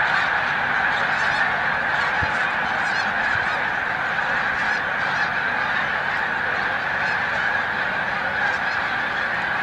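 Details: Snow geese during peak spring migration at Montezuma, New York, on 7 March 2022. A vast flock gives a ceaseless chorus of shrill, barking honks. A few louder individual calls stand out above the din.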